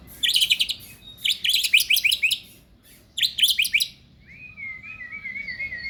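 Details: Male white-rumped shama singing bursts of rapid, very high chattering notes in three groups, followed by a thin wavering whistled phrase, in an otherwise quiet setting.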